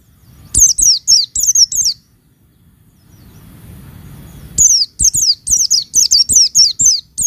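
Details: High, sharp, falling chirps from a female Oriental white-eye meant to provoke males, given in quick bursts, then a two-second lull before a longer run of rapid piercing notes.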